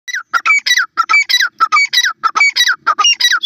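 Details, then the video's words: Pheasant calls played for chicks in a forest: loud, harsh, squawking notes with bright overtones, given in a quick uneven series of about a dozen bursts with short gaps. "Pheasant chicks dancing to the sound of the pheasant"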